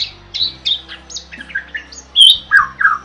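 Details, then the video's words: Lively gacor starling song used as a master: rapid squawky and whistled notes in quick succession, a loud piercing squeal near the end followed by two lower burry calls, over a low hum. "Suara Burung JALAK GACOR"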